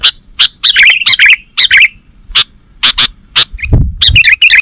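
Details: Sooty-headed bulbul, or kutilang, calling in a bird-trapping lure recording: repeated bright chirps and short twittering phrases, with a brief low thump near the end.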